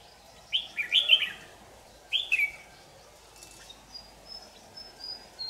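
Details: At a trap on 8 July 2019, a white-cheeked, yellow-gaped red-whiskered bulbul gives two lively warbled phrases of quick bubbling notes about a second and a half apart. Thin high tones follow in a quiet background.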